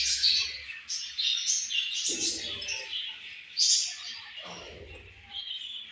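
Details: Pet budgerigars chirp and warble in a dense, high-pitched jumble, with loud squeaky bursts near the start and at about 3.7 seconds and light rustling noises between.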